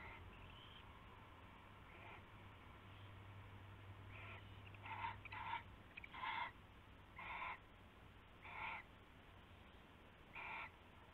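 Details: Owls at night on February 19, 2016, before dawn, passing a rabbit as prey between them; short harsh raspy bursts with a nasal double tone, several in a row about once a second, over steady low hum.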